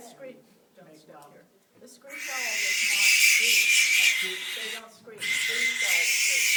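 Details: A barn owl at a wildlife rehabilitation and release centre gives long, harsh, hissing screams, two drawn-out bursts of rasping noise, with a person talking quietly before and between them.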